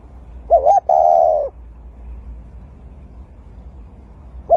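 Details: A dove tending its eggs at the nest gives a soft, low coo: a short wavering note, then a longer hooting one that slowly falls, with another coo starting at the end.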